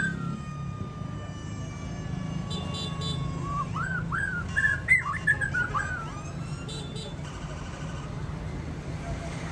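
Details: White-rumped shama crowned champion at a singing contest, pouring out a tumbling run of fluty, up-and-down whistles midway through, surrounded by long stretches of low background noise.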